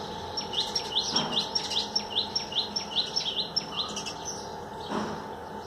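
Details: Common tailorbird in a freshly watered garden, bathing on wet trees, singing a fast, even series of short, high, sharp notes, about two or three per second, with a steady mechanical hum behind.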